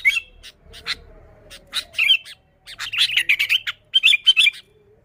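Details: Lively chirping of a sooty-headed bulbul in full song, a pure recording meant to lure others of its kind: scattered sharp notes, then a fast run of clipped chirps ending in bubbly, slurred phrases.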